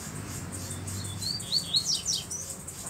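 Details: Caged black double-collared seedeater with a bluish-white bill singing firmly: a short burst of high, quick, warbled slurred notes lasting under a second, with low background hum.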